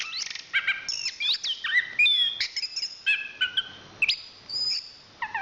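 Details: Song of a national champion Chestnut-capped thrush: separated whistled phrases, some stacked and ringing, others sharp upward sweeps and buzzy trills, varied notes with short pauses, mostly high-pitched.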